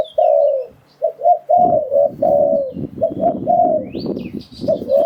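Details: Spotted dove decoy calling for trapping wild doves. Steady low cooing phrases, some stuttered and some drawn out, continue over a bed of rumbling, scraping noise, with a faint high chirp near the end.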